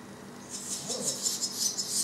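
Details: Barn swallow (Hirundo rustica) twittering in fast, high, scratchy bursts about four or five times a second, with a few thin whistled notes, in a quiet room-like setting; Zavalatica, Korčula island, Croatia, 18 July 2017.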